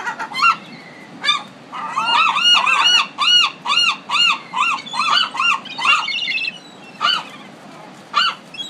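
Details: Gulls of a Pacific city calling: scattered yelps building into a quick, rhythmic burst of arched, nasal notes, then trailing off to single calls.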